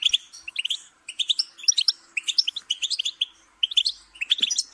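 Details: Goldfinch singing in quick twittering phrases of high, clear notes, separated by brief silences.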